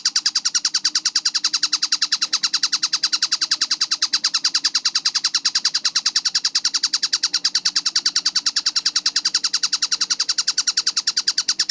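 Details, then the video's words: Clear, high-paced tengkek buto kingfisher tutor recording: a continuous run of rapid, piercing chatter notes, roughly 200 per minute and slightly less regular, with only a faint low hum behind. "MASTERAN TENGKEK BUTO GACOR SUARA JERNIH SPEED RAPAT"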